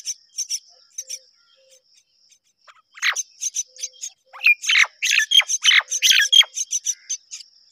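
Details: Myna pair rearing their babies together; after a few seconds of rapid high, thin pulsed chirps over a steady whine, a burst of harsh, squawky, scratchy calls breaks in and continues densely to the end.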